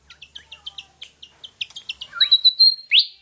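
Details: A Malaysian pied fantail (Rhipidura javanica) gives a quick run of short, squeaky high notes, about three per second, then brighter sustained notes and a final rising upslur.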